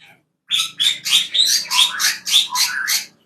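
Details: Cucak kopi in a home aviary, a bird of highlands and shrubland, already asking for food: about eight harsh, noisy chirps in quick succession, roughly three per second, each a broad scratchy burst.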